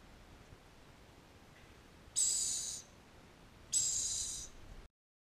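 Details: Two tiny six-day-old green-naped lorikeet chicks being hand-reared indoors; two harsh, breathy hissing bursts, each under a second long and about a second and a half apart, with quiet room hiss between.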